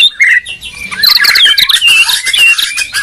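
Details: White-rumped shamas from Medan and Borneo in a song duel, a dense, hurried outpouring of overlapping whistles, harsh buzzy notes and rapid chatter, with loud phrases crowding one another throughout.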